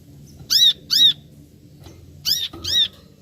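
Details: Calls of a brown-throated sunbird: two pairs of loud, high, arched chirping notes, each pair quickly doubled, against a quiet background hum.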